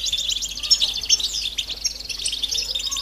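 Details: Group of European goldfinches giving rapid chirping mating calls meant to get males singing, about two to three high twittering notes a second in a dense, bright, unbroken chatter.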